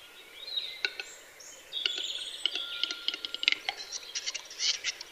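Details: Western capercaillie lekking display, with rattling clicks and harsh, hissing scrapes, overlaid by steady whistles and twittering of other songbirds.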